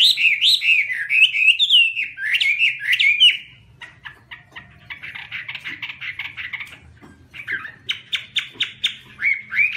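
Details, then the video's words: Wing-waving Chinese hwamei delivering loud looping whistles, then softer rapid trilled notes, ending in fresh clear whistled phrases. "Birds Garrulax canorus:Birds Waving wings and singing, The sound of birds singing wonderful"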